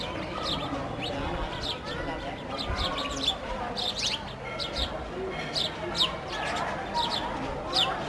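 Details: Flock of sparrows at play while eating a loaf of bread: quick bright chirps scattered through the recording, some in tight clusters, with constant low broadband noise underneath.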